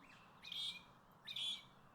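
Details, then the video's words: Pair of Magpie-larks calling from a roof near a lake around Cairns, Queensland, Australia, singing together to mark their territory and warn others off: two loud, ringing, high notes about a second apart in their duet, over a faint hiss. "It's Mr and Mrs Magpie-lark - watching over their territory. They regularly sing together to let others know that this is their territory"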